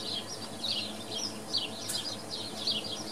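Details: Swallows at Wicken Fen giving short, high twittering chirps in quick, uneven bursts, some notes rising and falling, over a steady background hiss.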